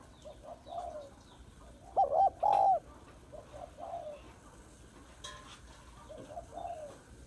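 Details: Female spotted dove calling to excite males, a full call set of calling, urging and cooing. Several soft hoarse coos come first, then two loud, wavering coo phrases at mid-clip, then more faint coos over a low background hum.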